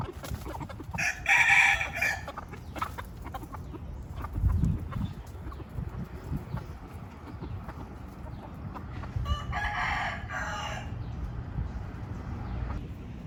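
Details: Free-range pet rooster crowing twice, each a brief strained harmonic call about eight seconds apart, over steady rustling background noise and occasional low thumps.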